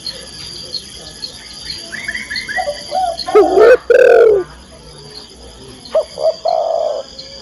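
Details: A female spotted dove calls to the male. Soft higher chirps lead into two loud, low, hoarse coos, then a few short clipped notes.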